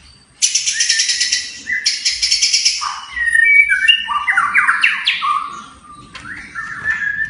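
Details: White-rumped shama singing a varied many-voiced song: rich buzzy bursts, then a run of clear whistled phrases stepping down and rising again, with short pauses between phrases.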